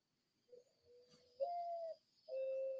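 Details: Mourning Dove song: soft, low, hollow coos, a brief lead note then two long, steady, deep throaty owl-like hoots, heard in hot southern summer; a faint high hum runs underneath.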